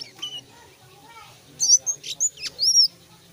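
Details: Song of a selendang biru beginning to sing fully: after a quiet start, a cluster of loud, high, sharp chirps and a thin downslurred whistle come in a quick sequence.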